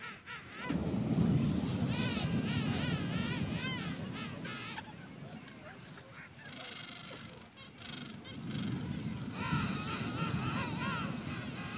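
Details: King penguins on South Georgia Island give loud, trumpeting calls with a rapid wavering warble, in overlapping bursts over a steady low roar of wind or surf.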